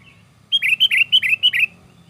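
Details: Sooty-headed bulbul in energetic, emotional song meant as a lure to attract others: a short pause, then six bright doubled notes in a steady run, each high note slurring down to a lower one.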